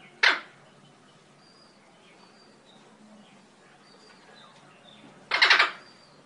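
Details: Eclectus parrot at home in Nawalapitiya, Sri Lanka, gives two harsh, grating squawks: a brief one, then a longer rasping one about five seconds later, with faint thin whistles from other birds in between.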